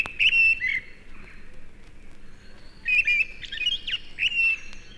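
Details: A mistle thrush, the stormcock, sings in a British broad-leaved wood in January winter gales: two short fluty whistled phrases, then after a pause a longer run of clear ringing notes over a soft background rush.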